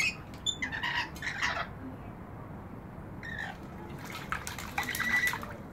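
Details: Rainbow lorikeets bathing in a balcony bird bath give harsh, screechy squawks in short bursts, with a quieter gap in the middle, over steady splashing water.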